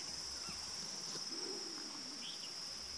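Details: Green imperial pigeon recorded in January 2018 at Gorumara National Park, Jalpaiguri, West Bengal, India. A single deep, drawn-out coo swells and falls over about a second, set against constant shrill insect buzzing and brief faint bird notes.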